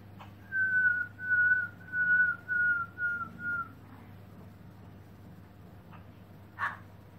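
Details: Black-throated laughingthrush, tail spread, recorded in 2017: a quiet series of five clear, level whistled notes, evenly spaced and slightly falling, then silence broken by a single short sharp note, over a low background hum.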